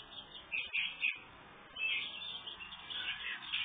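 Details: House finch with a red head feeding young birds: sharp, high chirps in quick bunches around the first second, then a steadier run of thin chirping through the remainder, sounding muffled and slightly hissy.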